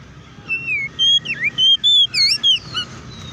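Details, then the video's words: Kept oriental magpie-robin in full loud song, a series of bright whistled notes, flat, swooping and forked, about eight in three seconds, meant as a lure to make other magpie-robins sing; steady low rumble behind. "KACER GACOR NGEPLONG TARUNG KONSLET BUKA PARU❗PALING AMPUH BUAT PANCINGAN KACER AGAR CEPAT EMOSI!"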